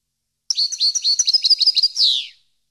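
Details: Song of a European goldfinch for educating captive birds: a fast, jingling phrase of high ringing notes with a brief bell-like trill, closing with a long, harsh, downward-sweeping buzz.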